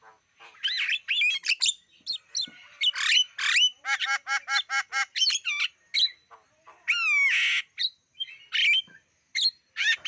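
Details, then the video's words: Black-winged starling sounds meant to lure wild birds: varied squawks and whistles, a fast train of evenly repeated nasal notes in the middle, then a rasping buzz and scattered chirps. "Masteran Suara pancingan burung jalak kebo"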